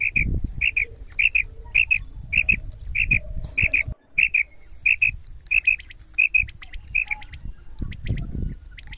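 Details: Female quail in Pakistan giving a mixed kirak and sirak voice, used for hunting with voice: high paired chirps repeated about every half second in a steady series, over low rumbling background noise.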